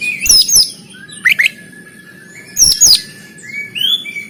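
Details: Kacer konslet tarung, the fighting song of an oriental magpie-robin from Banten, Indonesia, captured by Android phone: sharp descending whistles and clicks, a long steady thin whistle, then rising slurred notes.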